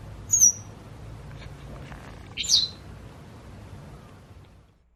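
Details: White wagtail among a pair changing toward spring, giving two crisp high slurred chirps about two seconds apart, the second slightly buzzy, then quiet low hum fading out.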